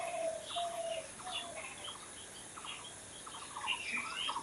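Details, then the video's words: Birds heard at a distance: soft, low whistled slurs open the passage, followed by short stuttering bursts of quick notes and scattered higher chirps over a faint steady hiss. "Natural Birds Chirping"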